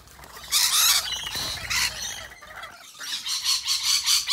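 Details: Rainbow and Scaly-breasted Lorikeets at afternoon feeding give harsh, high screeching squawks in bursts, several overlapping, with rapid pulsing shrieks toward the end.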